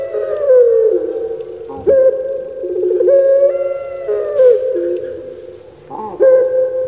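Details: Several drawn-out low coos with burry trilled middles from puter pelung doves kept in Java, Indonesia, phrases overlapping and restarting about every two seconds.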